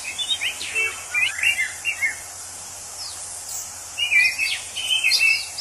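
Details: In the wild, an orange-headed thrush delivers jumbled whistled phrases in two groups: quick warbles with rising and falling notes. A persistent high insect hum continues underneath.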